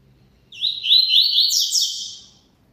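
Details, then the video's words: Singing double-collared seedeater: one continuous phrase of fast, buzzy warbles and sharp slurred sweeps, brightening midway and fading after about one and a half seconds, with almost no background noise. "COLEIRO CANTANDO MUITO"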